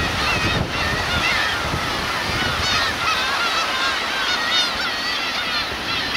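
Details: Black-tailed gulls with chicks at the Kurosaki coast, Teuri Island, Hokkaido, Japan, recorded 13 June 2021. Steady overlapping mewing and wailing calls from a crowded colony, sea surf murmuring underneath.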